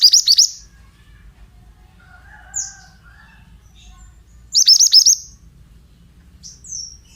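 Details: Oriental magpie-robin song: a quick burst of harsh, high chirping notes, a single short whistle, another rapid chirping burst after a pause, and a final brief descending whistle, with a steady low hum underneath.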